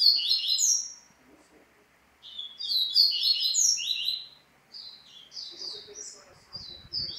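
A Double-collared Seedeater sings rapid bursts of sharp, high, sweet chirps and slurred whistles, with a brief pause between phrases and faint low knocks near the end.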